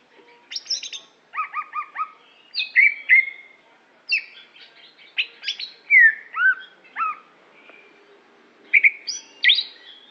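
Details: Greater green leafbird from Aceh, a caged competition bird, singing a varied run of whistled and chattering phrases: slurred rising and falling notes, clipped trills and sharp chips between short pauses, bright and high.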